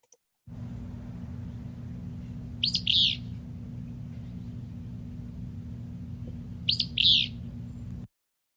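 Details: A Willow flycatcher (Empidonax traillii) gives its raspy, scratchy two-part "fitz-bew" song twice, about four seconds apart, over a steady low hum.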